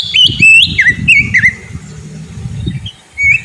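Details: Kacer lure song meant to get a sulking Oriental magpie-robin singing: a descending series of whistled notes with small dips, then a brief rising whistle, over a low rumbling background.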